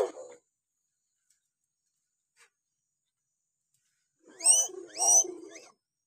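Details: Hill myna on a masteran training recording meant to prompt reluctant mynas to call: a short harsh note at the start, a long silence, then two loud, ringing, rasping calls with rising overtones in close succession.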